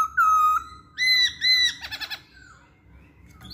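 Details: Masked laughingthrush singing, used as lure material to get other songbirds singing along: long level whistles followed by a quick series of short harsh chattering notes, then near silence.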